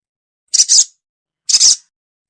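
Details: Crested jay lure sound for a sogon that will not come down: two harsh, hissing double notes about a second apart.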